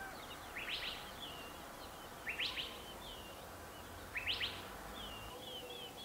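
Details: Gambel's quail hen gathering her chicks in Gold Canyon, Arizona, on 20 May 2011: three bursts of sharp, clustered notes, each trailed by softer whistled notes, recurring roughly every two seconds over a steady background hiss.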